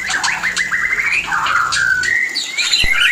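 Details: Short stretch of a white-rumped shama mating call, played to trigger breeding condition: a rolling chatter sliding upward into long clear whistles and a bright rising note.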